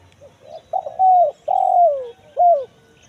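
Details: Kuk 1 mersik phrase of a spotted dove played to attract wild birds in the forest: soft lead-in notes, a stutter, a bright sustained coo, a long downslurred coo and a closing short hook.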